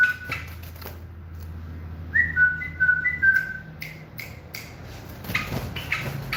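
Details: Moroccan common bulbul, a tame bird, singing a brief run of pure whistled notes that dip and rise, followed by several sharp clicks and knocks nearby.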